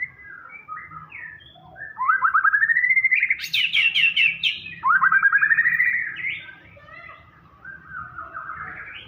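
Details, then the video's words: Murai batu (white-rumped shama) in loud gacor full isian song: varied short whistles lead into two intense rising buzzy trills with a burst of high rapid chatter between them, then softer warbled phrases. "Murai batu gacor full isian"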